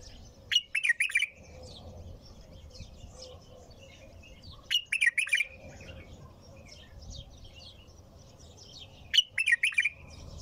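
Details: Bulbul song, a short warbling phrase repeated three times at intervals of about four seconds, each a quick tumble of mellow whistled notes, with faint soft twitters between.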